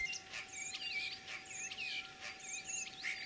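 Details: Spring song of a common starling, a skilled mimic, Tver region, Russia, 9 April 2023: wavering whistles and warbled phrases interleaved with rough clicks and high thin notes in a continuous flow, over a faint steady hum.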